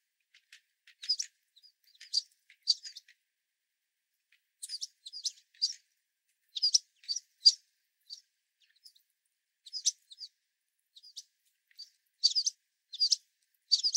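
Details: Hungry American Tree Sparrows and White-throated Sparrows swarm a platform feeder during a winter storm, jostling one another. They give short, high chirps and twitters in scattered bursts, sometimes several together, with quiet gaps between.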